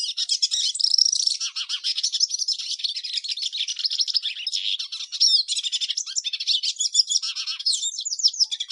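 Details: Hooded siskin, Carduelis magellanica, singing a long, continuous rapid twittering song of high chirps, trills and buzzy notes, with no pauses and no other sounds.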